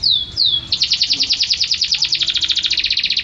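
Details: Canary in vigorous song opens with two high, downward-slurred whistles, then breaks into a fast, steady, high-pitched rattling trill that continues to the end.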